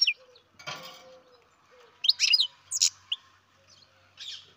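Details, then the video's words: Captive-bred baby European goldfinch: scattered high chirps and short twitters separated by gaps, with a brief rustling noise early on and a faint low hum in the background. "Καρδερίνα εκτροφής μωρό (Goldfinch carduelis baby"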